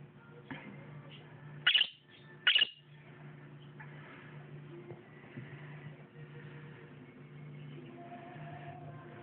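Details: A pet bird calls to a companion bird in another room, possibly to say water is here, as the owner suspects: two sharp, high chirps less than a second apart, then quiet over a low household hum.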